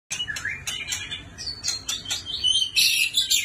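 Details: White-rumped shama, described as a special bird from a neighbouring country, singing a rapid, varied run of high whistles and sharp chirps with rising phrases, growing louder and denser toward the end.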